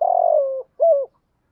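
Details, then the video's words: Cooing of a decoy spotted dove meant to get wild-caught males singing fast: a long rough falling coo followed at once by a shorter clear note, nothing else audible. "chim cu mồi thúc gù bài vở, tiếng chim cu gáy kích bổi mới nhất, giúp kích thích bổi nhanh gáy"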